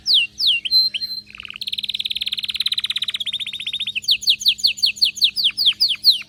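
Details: Excited canary: falling whistles and a sustained note, a low buzzy burst, then a long fast rolling trill, then a run of sharp descending whistled notes.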